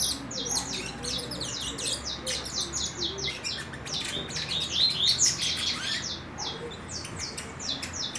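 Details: Four-month-old juvenile saffron finch entering its nest moult, eager to sing: rapid, uneven series of high, thin chirps and short descending notes, about two per second, with a brief rising twitter midway.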